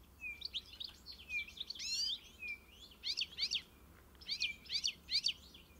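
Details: European goldfinch song: fast, liquid twittering phrases of high chattering notes mixed with short level whistles, in two bursts separated by a brief pause, over faint background hiss.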